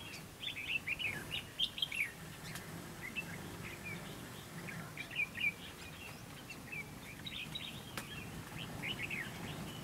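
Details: Red-whiskered bulbul singing as a decoy in a fighting trap meant to lure wild rivals; short bursts of bright, warbled whistled phrases spaced irregularly, fairly faint over a steady low rumble of background noise.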